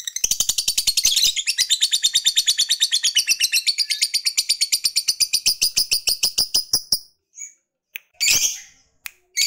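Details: Fighter lovebird's long 'ngekek' chatter, meant to provoke rival males: a quick harsh trill of high pulses for about seven seconds, then it stops and a few separate sharp chirps follow.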